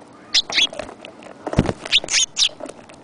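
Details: Sparrow giving a quick run of about six short, sharp, bright chirps within three seconds, some paired, over a soft background hiss with a brief low thud midway.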